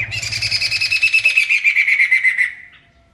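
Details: Loud, vigorous singing from a masked laughingthrush: one long harsh chatter of fast pulses that slowly falls in pitch, then fades away.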